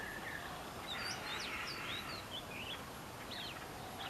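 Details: Oriental magpie-robin singing: a run of short, varied whistled notes and quick slurred phrases, some rising and some falling, over a steady background hiss.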